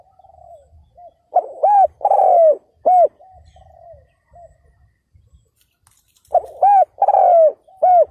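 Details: Spotted dove kept as a ground decoy to entice wild males, recorded 2022. Two loud coo phrases, each short-arched-long-falling-short, with softer distant coos in between.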